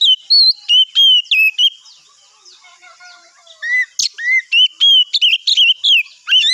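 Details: Oriental magpie-robin song at morning, played as a lure to make other magpie-robins reply: bright whistled phrases with sliding, looping notes and sharp high chips, a brief quiet pause midway, then more varied whistles.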